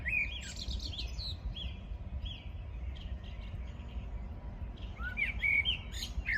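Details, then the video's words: Morning birdsong recorded on 14 June 2022: several birds chirping and twittering in quick, high, overlapping phrases, with short bright whistles near the end, over a steady low rumble of background noise. "Poranek śpiew ptaków"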